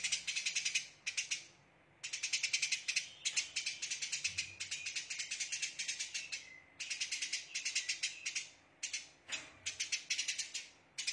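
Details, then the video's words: Eurasian tree sparrow giving a dense, rapid-fire chattering song in the style called tembakan, used as a training recording for songbirds: bursts of fast, harsh, buzzy chirps repeated in quick runs, with short pauses between bursts. "Rapatnya Tembakan Burung Gereja"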